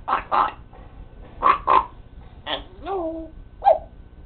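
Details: Pet parrot talking with very clear speech: several loud syllable bursts, then a pair of gliding whistled tones sliding downward, ending with a short sharp note.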